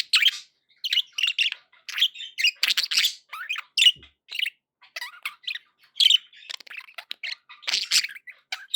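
A budgerigar chatters in quick, scratchy chirps and warbles, high-pitched and almost without pause.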